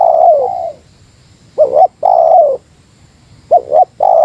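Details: Spotted dove, Meratus-style lure call aimed at a rival: a long mellow descending coo, then a quick two-note stutter and another long coo, with a further stutter and coo starting near the end, over a quiet background.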